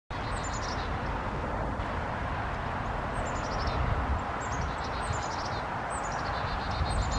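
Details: Chickadees by a bluebird nestbox on Hilton Head Island, South Carolina, with two alert deer nearby, give thin, high, descending chip series, several notes per burst, every second or two, over a low rumble.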